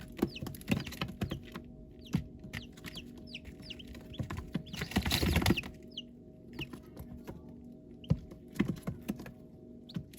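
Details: Baby chicks give short, high, falling peeps scattered across the recording, mixed with frequent low tapping and pecking noises and a brief burst of rustling in the middle.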